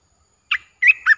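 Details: Caged streak-eared bulbul, a newly acquired bird, gives a brief burst of three bright chirpy notes. The first note is quick and isolated. A short pause follows, then two slurred, warbling notes. No other sounds.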